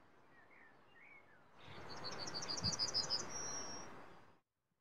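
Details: Male yellowhammer calling: after faint background notes, a quick run of about a dozen high, slightly buzzy repeated notes builds in strength and ends in one long drawn-out high note, over steady low rumbling noise.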